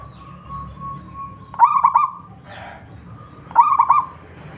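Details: Zebra dove (perkutut lokal), a wild local bird, sings two soft cooing phrases two seconds apart, each with a rapid stammering start and a long level tail. Another drawn-out tone trails in at the start.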